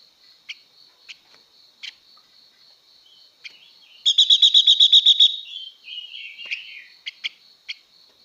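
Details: A female blue-winged leafbird sings to provoke males. Scattered sharp ticks lead into a burst of quick repeated buzzy notes, then a descending warbled phrase and more clicks, all over a steady shrill background tone.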